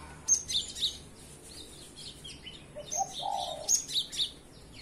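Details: In the morning a cinereous tit gives scattered high, thin chirps and buzzy notes at irregular intervals, while a low coo sounds once in the middle.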